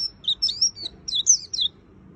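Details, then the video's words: White-eye song made of high, thin warbling phrases: short sliding whistles and twittery notes in quick clusters, with brief gaps between them. "Suara Burung Pleci Gacor Full Isian - Tiếng chim vành khuyên líu"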